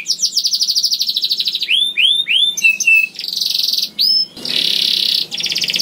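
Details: Young canary (kenari paud) song to prompt singing in other canaries: fast trill of descending notes, looping upslurred whistles, a buzzy stretch, a brief pause and another buzzy burst into a final trill.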